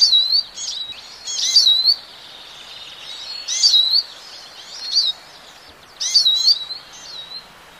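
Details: European goldfinch singing in short twittering bursts of tinkling, slurred high notes and quick trills, separated by brief gaps of a second or so.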